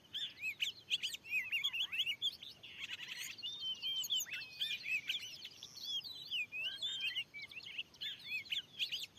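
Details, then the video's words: Fierce wild Oriental magpie-robin in a freshly prepared field responding to a lure bird, pouring out dense, jumbled whistles, twisting slurred notes and scratchy chirps almost without pause. "dilahan yg baru steling ini ada burung Kacer yg sanggat ganas"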